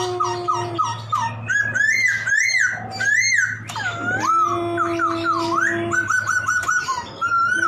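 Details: Poksay laughingthrush in vigorous full song: choppy repeated whistles, then swooping, bending whistled phrases that rise and fall sharply, with rich harmonics and a constant low humming tone underneath.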